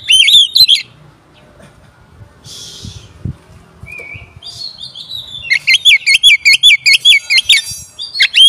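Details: Oriental magpie-robin song used as a lure to provoke other magpie-robins: loud whistled, warbling phrases open the clip, a quiet gap with a buzzy burst, then a fast run of repeated sharp whistled notes near the end.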